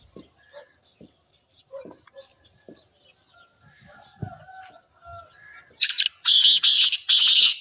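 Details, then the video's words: Black francolin call, meant to stir other francolins into calling: after a quiet stretch of faint chirps and low thuds, a loud rhythmic run of four harsh, rasping notes closes the recording. "اس آواز کو سنتے ہی تیتر مستی سے بولنے لگے گا | Black Teetar Sound"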